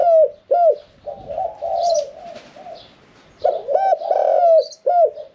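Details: Middle-voiced caged spotted dove in 'khan yon 1 kuk' song style; short arched coos open and close the phrase, softer rolling coos between, faint chirping from other birds.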